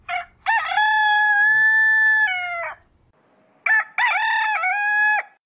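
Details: Chicken (Gallus gallus domesticus), crow.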